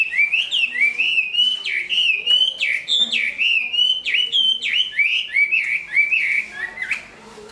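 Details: Big-built Chinese hwamei, said to sing and fight well and now completing a fresh coat of feathers, pours out a rich, continuous run of rising and falling whistles with sharp upward flicks, fading near the end.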